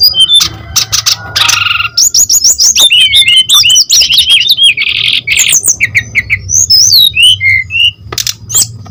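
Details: Brown-chested jungle flycatcher in full song, meant to provoke and tutor others of its kind: a dense, nearly continuous stream of rising and falling whistles, trills and harsh buzzes, over a faint low hum.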